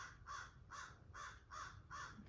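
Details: Crows calling outside, not close by; a steady series of five harsh, rasping caws roughly every half second, over low background hum.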